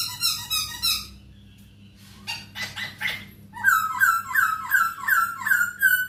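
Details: Singing masked laughingthrush used as a tutor for captive birds, opening with fast chattering notes and harsh bursts before breaking into loud, rich whistled phrases repeated in quick succession, with a faint low hum beneath.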